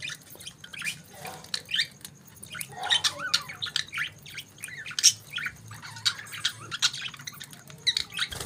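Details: Morning chatter from budgies: scattered sharp chirps and brief warbling squawks overlapping steadily, some notes sliding down in pitch, over a faint low background hum.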